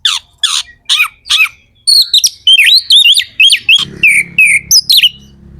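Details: Caged Indonesian magpie-robin (kacer) in full song, used to stir other magpie-robins into singing: loud rapid buzzy downslurred notes, then rich whistled phrases rising and falling, with a faint low hum near the end.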